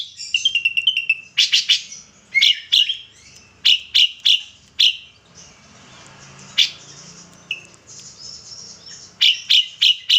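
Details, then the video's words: Ashy drongo, a kept bird in full song whose repertoire includes kapas tembak phrases: loud, sharp, explosive notes in quick bursts, separated by brief quiet gaps, with a thin sustained whistle near the start. "srigunting abu abu mata putih gacor isian kapas tembak"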